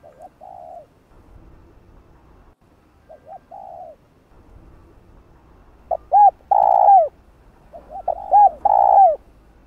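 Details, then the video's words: Spotted dove calling in a spurring coo style meant to stir decoy birds used in trapping into cooing fast: soft low coos, short paired notes leading into longer drawn coos with a dipping tail, in loose phrases separated by quiet pauses. "Tiếng cu gáy gọi thúc gù kích mồi tập bổi, kích bổi ức chế gáy nhanh"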